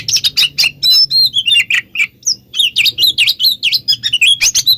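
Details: Lure song of an oriental magpie-robin for drawing replies from others of its kind: dense rapid chattering notes at first, then a run of repeated swooping V-shaped whistles, over a faint low hum.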